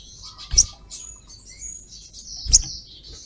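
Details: Female ruby-cheeked sunbird calling a male, a 'cret cret' call used as a lure: two sharp, very high chips about two seconds apart, with faint thin whistles between them.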